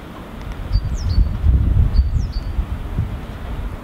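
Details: Great tit singing its three-syllable song in Helsinki, Finland, in February 2016, unseen: two high, thin whistled phrases of quick descending notes about a second apart, over a steady low rumble of wind or distant traffic.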